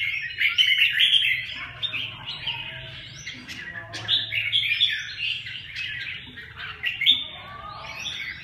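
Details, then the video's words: Red-whiskered bulbul delivering rapid, chattering whistled phrases, bubbling notes tumbling up and down, with a clear burst near the start and another at the end, plus a faint low drone. "kênh chào mào"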